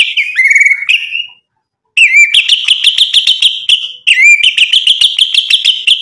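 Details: White-rumped shama in full song with imitated phrases, played to goad rival birds into replying. A warbling whistled opening is followed by a brief silence, then fast stuttering chains of clipped high notes with swooping whistles.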